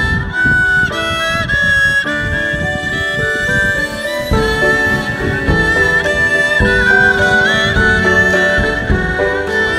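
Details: Lively instrumental music with flute-like melody and plucked and bowed accompaniment, steady beat throughout, no animal calls.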